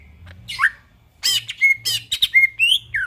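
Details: At midnight a greater green leafbird gives a short gacor phrase: a falling whistle, a pause, then loud harsh buzzy bursts mixed with clear level whistles and a final downward slur.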